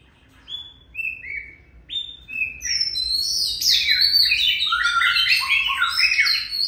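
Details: Oriental magpie-robin opening with a few separate clear whistled notes, then breaking into a dense, continuous, rapid warbling song of high varied phrases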